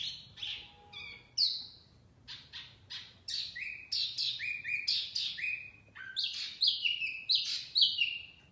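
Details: Energetic wambi mini song for luring birds: varied descending whistles and sharp chirps, growing into quick overlapping phrases of falling and rising notes over a soft low hum.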